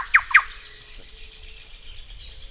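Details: In Peru, a Thrush-like Wren (Campylorhynchus turdinus) gives two quick, rich, mid-pitched notes about a fifth of a second apart, then falls silent over a faint background hum.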